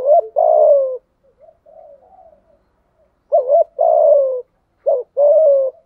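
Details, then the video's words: Spotted dove decoy cooing, thunder-voice style, to entice wild doves in rainy, windy weather: a hooked note into a long wavering coo, soft mumbles, then a repeat of the phrase and a closing drawn-out coo. "Chim cu gáy cườm thúc gù bài bản, giọng gáy hay kích bổi hiệu quả mùa mưa gió"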